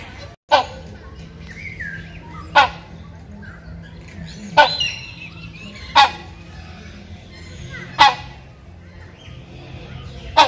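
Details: A male hornbill calls to a female in courtship, giving six booming, rasping barks at near-regular intervals of about two seconds above a low steady hum and a brief softer call.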